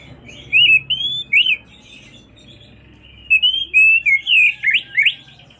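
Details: Calling to its companion, an Oriental magpie-robin sings loud, fluty whistles that curve upward and dip. Two phrase groups are split by a short silence, the second faster and more varied.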